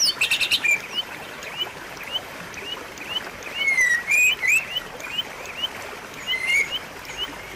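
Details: White-rumped shama singing, recorded as a tutor to restart a bird that has gone quiet: a harsh rattling burst at the start, then a series of short rising whistles and a few louder sliding notes.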